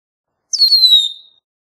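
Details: Red-winged Blackbird gives one clean, high whistle that drops quickly and then slides slowly lower, held for under a second, in complete silence.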